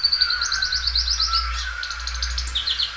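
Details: Belgian canary, described as a loud singer that stretches its song repeatedly, pours out quick rolling trills of high repeated notes over a sustained lower whistled tone, then shifts into a new trill phrase.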